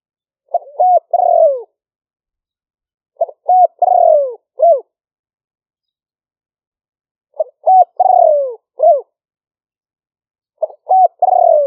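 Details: Spotted dove singing in the liu-fueang style, recorded live in rainy-season rice fields near Tao Lek, Roi Et, Thailand, for use as a trapping lure. Four matching phrases come about every three seconds: brief coos, a long falling note, a final hooked coo.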